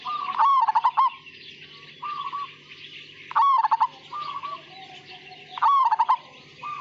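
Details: Perkutut Majapahit, a zebra dove, singing steadily in gacor style: three loud rolling phrases of quick stuttered coos, separated by quieter, flatter cooing from another dove in the background.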